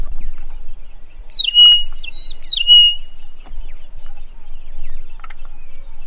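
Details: Rosy-patched bushshrike, apparently a male singing a love song to attract a mate, in Tsavo East National Park, Kenya, in December, gives two bright, clear, downward-slurring whistled phrases about a second apart over a steady high insect whine and low rumble.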